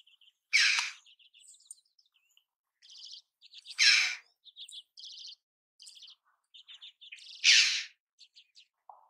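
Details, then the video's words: Red-billed chough calling: three loud, harsh, broad rasping notes spaced about three seconds apart, each under half a second, with many short high chirps and twitters from small birds in between. "The voice of a red-billed raven (صدای زاغ نوک قرمز)"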